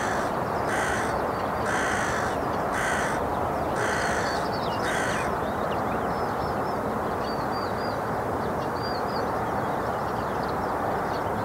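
A Daurian jackdaw gives a short run of harsh, clipped calls about once a second over a steady rumble.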